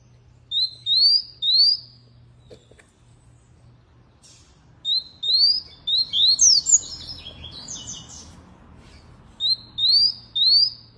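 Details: Canary song: groups of clear, high, upward-slurred whistles in pairs and threes, with a busier burst of varied twittering notes midway, separated by quiet pauses; a faint low hum underneath.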